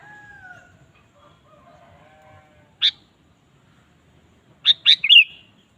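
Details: Sooty-headed bulbul, lure song meant to rouse a kept bulbul: after faint drawn-out lower tones, a single sharp note, then a phrase of two sharp notes ending in a bubbling warble.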